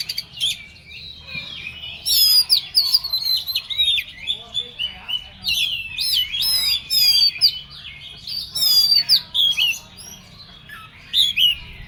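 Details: Excited, agitated Oriental magpie-robin pouring out a long, rapid medley of high twisting whistles, scratchy trills and chirps in dense bursts separated by brief gaps.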